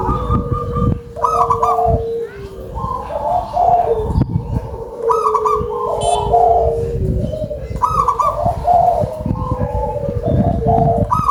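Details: Local zebra dove singing vigorously with a loud voice: a sequence of high rolling notes and lower bubbling coos, about four phrases, over low rumbling background noise.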